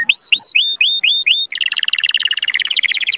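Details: Canary singing to encourage mating, opening with six rising upslurred whistled notes in quick succession, then breaking into a dense, very fast high rattling trill.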